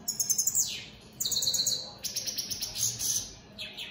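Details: Rapid, high European goldfinch song from opal split Satane mutation birds: tinkling trills ending in downward slurs, a buzzy even rattle, and quick bright chirps packed closely together.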